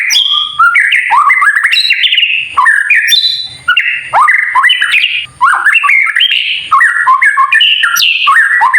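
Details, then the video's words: Kretekan song of a white-rumped shama, played to provoke other shamas into singing: loud, fast, varied whistled and chattering phrases, broken by a few brief gaps. "KRETEKAN murai batu TERBAIK UNTUK MEMANCING EMOSI agar burung murai menjadi GACOR"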